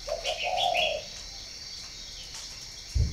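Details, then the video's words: Spotted dove kept at a breeding farm in Ba Vì, northern Vietnam, utters a stuttered then sustained low coo alongside high chirps. The coo is followed by quiet, then a dull knock. "chim cu gáy hay miền bắc"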